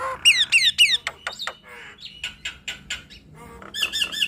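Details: Nias hill myna pair in duet: three loud descending whistled slurs, then a series of short harsh notes and a closing wavering whistled phrase, against a quiet background.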